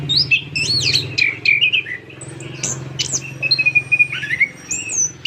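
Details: Orange-headed thrush in long song: looping whistled phrases, sliding warbles and a sustained high note, delivered almost continuously over a low background hum.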